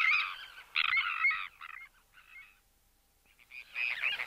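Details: Sandwich tern calling during flight displays or colony alarm: several rasping, grating calls that fade into quieter ones, then a pause, then a louder harsh call.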